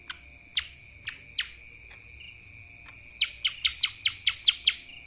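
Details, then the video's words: Lesser green leafbird singing in the kapas tembak style: a few scattered sharp downward chirps, then a quick run of about eight bright, falling notes near the end, over a steady high hum. "CUCAK ijo mini Fulll suara KAPAS TEMBAK...!"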